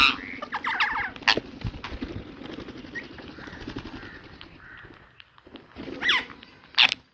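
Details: A pet ringneck parrot opens with rapid grating squawks. A stretch of low rustling chatter follows, then two loud, harsh screeches close together at the end.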